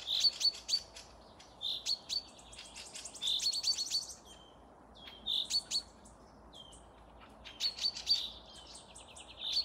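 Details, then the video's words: Several forest birds sing at Panika village, Tver region, Russia, on 12 May 2024: clustered high twittering phrases separated by pauses, each mixing sharp ticks with short bright whistles, plus a soft lower whistle. "пение птиц"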